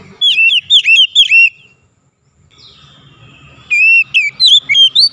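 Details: Oriental magpie-robin singing, meant as therapy to get a reluctant bird singing daily: rich whistled notes delivered in quick loud bursts, a brief drawn-out fainter whistle in between, then a second run of sweeping, varied whistles.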